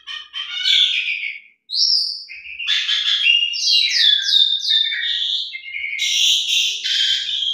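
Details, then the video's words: Asian pied starling song played to coax caged starlings into singing: continuous loud chattering, harsh buzzy phrases and descending whistled notes, ending in high rasping bursts. "Pancingan Jalak Suren Gacor Isian Mewah Cocok Buat Jalak Suren Macet Biar Gacor"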